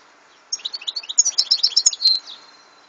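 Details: Brief European goldfinch phrase: a quick run of high, tinkling twittered notes that ends on a short drawn-out buzzy tone.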